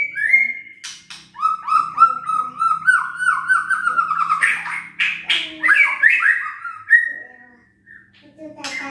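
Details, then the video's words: White-rumped shama song to rouse sluggish birds that seldom sing: a long series of rapid repeated whistled notes, then loud harsh squawking phrases and falling slurs. "PANCINGAN EMOSI MURAI BATU LOYO DAN MALES BUNYI"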